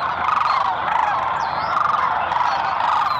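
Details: A large flock of sandhill cranes departing in the morning at Merced National Wildlife Refuge in winter, 23 February 2021, gives a continuous chorus of rolling, trumpeting calls, many voices overlapping with steady pulses and no pauses.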